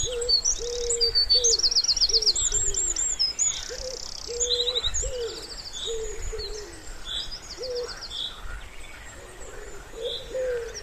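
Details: Pond-side spring ambience where a wood pigeon's soft, even coos run along underneath a lively chorus of bright, rapid songbird trills and chattering phrases.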